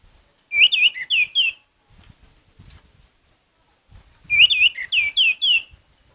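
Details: Orange-headed thrush in full, energetic song: two quick runs of loud, clear whistles, each about a second long with a short downward slur, separated by a quiet gap with faint low rumbling.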